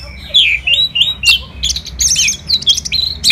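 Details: Loud, varied Orange-headed thrush song of rich warbled whistles and sharp squeaky notes, delivered almost without pause.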